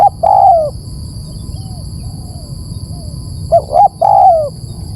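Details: Spotted dove lure call: a long descending coo, faint softer coos, then a full phrase of two short hoots and a drawn-out falling note. Low background rumble and a steady high-pitched hum.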